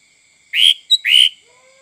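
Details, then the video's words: Sooty-headed bulbul in full song, said to be good for luring other birds: two bright, slightly rising whistled notes with a brief high chirp between them, over a faint steady background whine. "Suara Kutilang Full mbesettt cocok untuk memancing burung lain"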